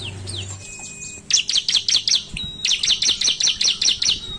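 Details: Ciblek (Bar-winged Prinia) singing in an energetic 'narung' style used as a lure: after a few thin whistles, fast runs of sharp, high chirps repeated about two and a half times per second, with a faint low hum behind.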